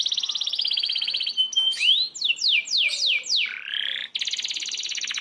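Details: Canary rolling song from a master recording used to train young magpie robins: high buzzy trills, then a run of sharp descending sweeps, ending in another fast rattling roll.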